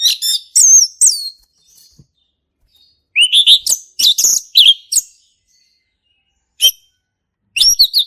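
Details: Orange-headed thrush male giving ngeplong song in the forest: several sharp, varied phrases of bright whistles, slurred upsweeps and chatters, broken by pauses and a lone high note.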